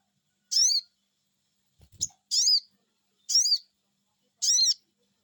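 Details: Sogon bird lure call, cuiit cuiit: four loud, high, bright whistled notes about a second apart, each with a quick up-and-down slur, and one short low bump in between.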